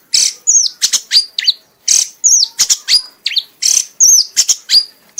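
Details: Red-whiskered bulbul, a competition-winning kept bird, singing in a frenzied 'mabok' state until exhausted: loud, high whistled phrases with sharp downslurred notes and clicking accents, repeated in bursts about every second with brief pauses between groups.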